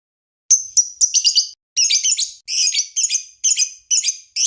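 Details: A lovebird master song for training, heard as separate bursts of scratchy, high, twittering chirps. The short phrases of several notes are divided by brief silences and come about twice a second.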